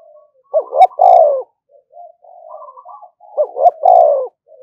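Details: Decoy spotted dove calling nonstop to draw rivals into a fight. It gives two rapid bursts of deep, rolling coos, each ending in a longer, drawn-out note, with quieter murmured notes between them.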